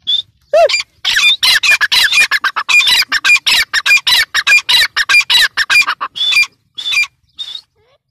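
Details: Partridge (teetar) in a long loud bout of harsh, rasping calls repeated quickly, nearly continuous, with high whistled tones, tapering to a few separate notes at the end.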